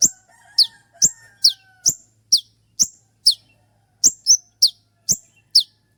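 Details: Sharp 'shot' song of a spotted konin sunbird, a tutor recording for cage birds: a steady series of about fourteen piercing, falling chirps roughly every half second, with a faint low hum and a brief whistle early on.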